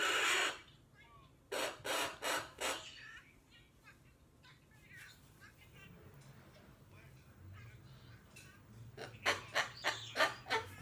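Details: Pet cockatoo, a young female, bursts out with a run of four harsh squawks, falls to quiet murmuring chatter, then gives another rapid series of raspy screeches.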